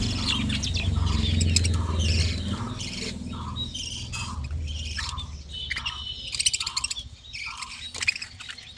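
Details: Budgerigars in a breeding colony: a busy mix of scratchy squawks and quick high chirps from many birds at once, over a low steady rumble and a regular muffled knocking.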